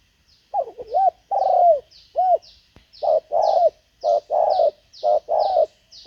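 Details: Caged decoy Spotted Dove used to lure wild doves gives a series of low, hooting coos, short notes alternating with longer drawn-out ones ending in a falling slur. Faint high, downward chirps repeat steadily in the background.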